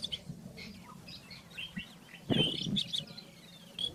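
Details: A rufous-tailed scrub robin sings in the wild, scattered high chirps building to a louder burst of bright whistled notes midway, joined by a low thump, with a steady background hum.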